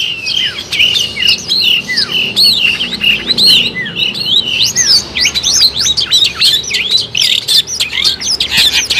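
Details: A lively long-tailed shrike song used as a trapping lure. Dense chatter of high chirps builds into rapid, repeated up-and-down whistled notes that come in a fast, steady stream.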